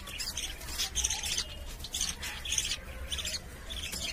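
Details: Budgerigars kept in a cage chatter without pause, a dense stream of high, scratchy chirps and squawks coming in bursts over a low background rumble.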